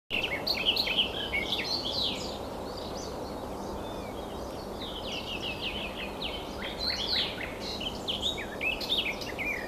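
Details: Garden warbler singing while well hidden somewhere, a long rapid warbling stream of varied short notes and twitters, loudest in the opening seconds, over steady background noise.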